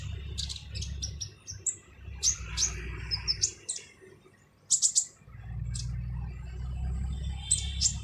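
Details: Kolibri ninja, or brown-throated sunbird, in a harsh song meant for training: clustered high ticking notes and thin whistles, then a pause and a loud triple chirp, over low rumbling noise.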